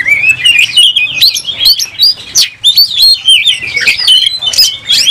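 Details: An oriental magpie-robin sings continuously while ready to fight, tail fanned. It gives rich, warbling whistled phrases that swoop up and down, mixed with quick sharp notes, almost without pause.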